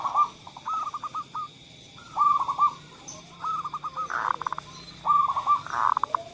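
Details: Zebra dove song used as a lure for doves that rarely sing: repeated soft cooing phrases, each a low note followed by a rapid trill of short pulses, recurring every second or so against a steady faint background hum.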